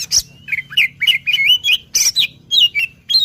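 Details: Magpie-robin being lured, delivering a lively string of bright whistled notes, some rising and some falling, separated by sharp clicks, with a faint low hum underneath.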